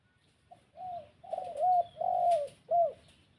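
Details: Spotted dove, a lure bird calling wild doves: a soft low coo followed by three mellow arched coos, the middle one longest, in a quiet setting.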